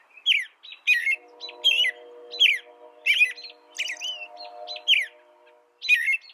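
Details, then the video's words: An American robin sings a steady series of short, rich, slurred phrases roughly every half second to second, while a low continuous hum runs beneath most of the passage. "Suara burung american robin"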